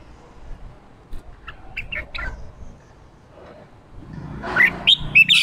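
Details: A female red-whiskered bulbul calls to stimulate wild-caught males to sing and to fire up breeding males: short, bright chirps, then a louder run of quick, slurred whistled notes near the end, over a faint low background rumble.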